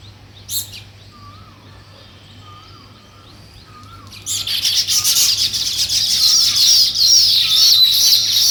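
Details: Nest-building weaver birds: quiet start with a distant warbling whistle repeated several times, then a loud burst of dense, high chattering chirps that continues to the end.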